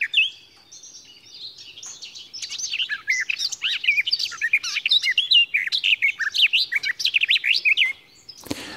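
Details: Garden Warbler, a late spring arrival singing hidden in dense greenery: a long, lively, babbling warble of fast chattering runs, the same in character from start to finish, then a sharp click.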